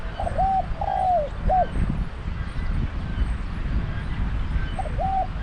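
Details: Decoy spotted dove in Thailand, set out to lure wild doves to a trap: a mellow three-part coo, short note, drawn slurred middle and hooked end, then a pause and a fresh start, over low rumbling background.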